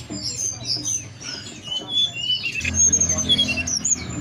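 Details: Lure recording of mountain forktail song meant to make birds sing and come into breeding condition: scattered high thin whistles and chirps repeated at an uneven pace, with a low rumbling hum in the second half.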